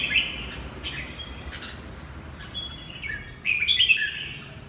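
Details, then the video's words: Red-whiskered bulbul of the 'mơ hai mí lửa' type singing in the 'hót ché' style: a run of short slurred whistles and quick warbled notes, some rising and falling, growing louder and busier near the end, over a steady background hiss. "Chào mào mơ hai mí lửa hót ché cực hay"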